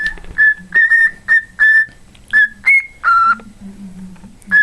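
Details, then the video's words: Crisp whistled notes from a pet cockatiel singing Jingle Bells, grouped in short pairs and singles, one rising higher and one long lower note, with quiet gaps between. "my cockatiel singing Jingle Bells and talking"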